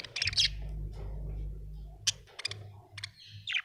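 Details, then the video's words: Happy budgerigar chirping: a quick cluster of bright high chirps at the start, then a low humming drone, followed by more sharp chirps and short chattering notes toward the end. "Happy budgie chirping sound"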